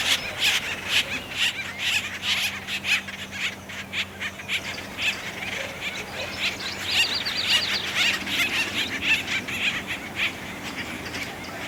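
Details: Acorn woodpeckers at Effie Yeaw Nature Center in 2025, at the start of mating season, cause a commotion among three trees. Several birds give harsh, squealing waka-like calls about twice a second, overlapping, over a faint steady low hum.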